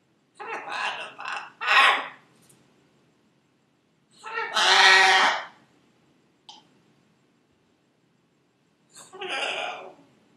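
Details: Captive female Buffon's macaw repeating her name again and again: a quick cluster of raspy syllables, then a long drawn-out harsh phrase, a tiny click, and one final shorter phrase after a pause.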